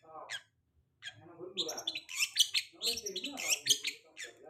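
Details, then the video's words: Long-tailed shrike after moulting, sung as a lure to prompt other shrikes: rasping, scratchy chatter building into dense high bursts, with quieter mixed sounds and a low murmur underneath. "Pancingan cendet habis mabung pasti bunyi di jamin 100%"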